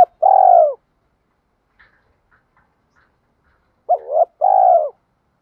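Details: Training coo of a spotted dove in the 'thổ' voice style, for decoy and newly caught birds. Two coo phrases: a long, smooth, slightly descending note, then after a pause a doubled wavering note and another long coo. Faint ticks sound between them.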